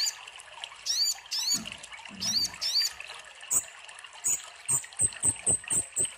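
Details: Kolibri ninja sunbird, used as a lure to make young birds sing: a few high swooping chevron notes, then a steady run of short sharp high chips about three a second, over trickling water.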